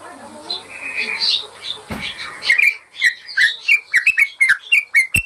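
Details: Yellow-vented bulbul song used as a master recording for training caged birds; after a murky start, loud bubbly notes come in a quick repeated series, each a short warbled phrase, with a sharp click near the end.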